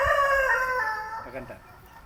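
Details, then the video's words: Crow of a Padovana rooster, Italian breed, dated 15 March 2026: a drawn-out, rich harmonic note that slowly falls and fades into a ragged, softer tail, leaving faint background noise. "Gallinas Paduana (raza italiana) - 15.03.2026: Escuchen como suena el canto de Howie"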